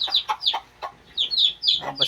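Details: Two-day-old Shamo chicks utter high descending peeps in short groups, mixed with lower broadband scratchy notes.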